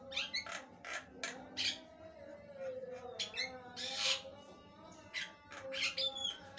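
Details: Javan myna in full, lively long-duration song; harsh, scratchy bursts and short squawks alternating with clear whistled notes, delivered in irregular phrases over a low steady hum.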